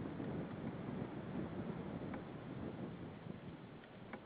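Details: Steady broadband rumble like wind or rain hisses throughout, with a few faint clicks and no animal voice.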